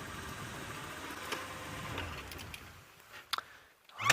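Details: Steady broadband rumble of a vehicle engine with a few clicks and knocks, and no animal calls.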